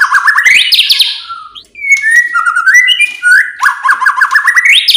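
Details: White-rumped shama song used to provoke other shamas into singing: loud, varied whistled phrases with fast rising trills and sharp downward notes, a falling slur, then a rapid stuttering trill at the end.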